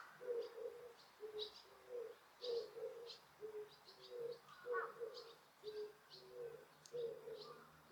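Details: Park birds at Osaka Castle, recorded with noise reduction on a quiet day without visitors: a regular series of low, throaty paired coos throughout, accompanied by scattered high-pitched chirps and one brief mid-pitched whistle.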